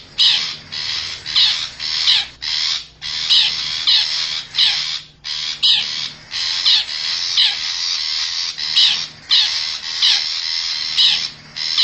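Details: Wild long-tailed shrike of the forest, lure call used to attract others of its kind: a long, fast series of harsh, noisy chattering notes, short bursts packed closely with brief pauses, continuing for about twelve seconds.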